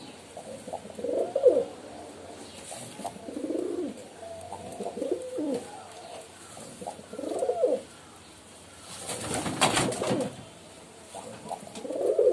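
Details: Pigeons giving repeated low coos roughly every two seconds, each a rolling, falling phrase, with a loud noisy rustle near the end.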